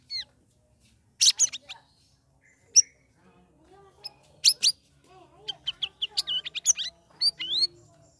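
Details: Sooty-headed bulbul kept in a group aviary for three weeks, chattering ngeriwik ngeplong song: scattered sharp chirps, then a lively burst of rapid, bending whistled notes, with a soft lower warble in the background.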